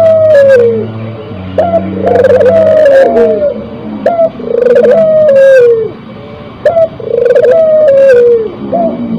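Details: Spotted dove in breeding condition giving repeated cooing phrases, each a short rising note followed by a long, slightly falling, wavering coo, about every two to three seconds, over a steady low hum.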